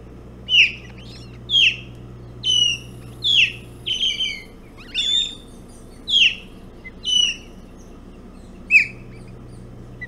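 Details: Breakfast at an osprey nest on Hog Island, 05:09 on 11 June 2017, with a bullhead being eaten. Loud, piercing, downslurred whistled chirps are repeated about once a second, set against a low mechanical hum.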